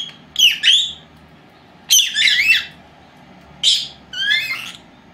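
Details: Two female lovebirds, four months old, kept at home, calling during their afternoon nap, recorded by an old camera left running on its own; four bursts of harsh, high chirps and squawks, each about half a second long, over quiet room noise.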